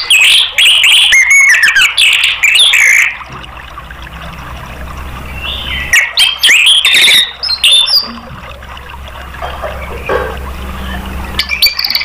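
An orange-headed thrush sings loud, rich, varied phrases of high whistles and rapid chattering notes in bursts, separated by pauses with a faint background hum.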